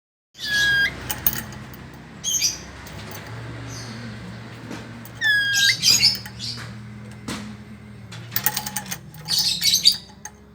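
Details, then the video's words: Chattering lory giving loud, harsh squawks in irregular bursts, some with ringing nasal overtones, separated by quieter gaps filled with clattering and a low hum. "Lorius garrulus atau burung nuri kepala merah"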